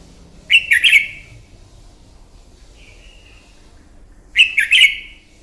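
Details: Morning fighting song of a red-whiskered bulbul used for training: a clicky three-note warbled burst, a faint thin whistle, then another identical burst about four seconds later.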